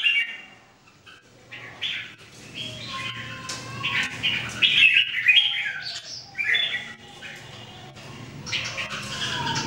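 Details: Daily singing training of three Red-whiskered Bulbuls (jambul), recorded 2018. Busy, uneven stream of squawky chirps and warbled notes, several birds overlapping, building to louder bursts midway.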